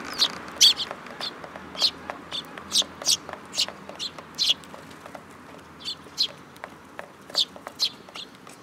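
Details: Several sparrows coming for food at a Tenmangu shrine, July 2022: a lively stream of bright, clipped chirps from more than one bird, irregularly spaced over quiet background noise.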